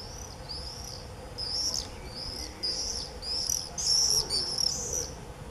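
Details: Common swifts in a screaming frenzy, early July 2018: repeated shrill, high, buzzy screams in overlapping bursts, growing louder in the second half, with a faint low hum behind.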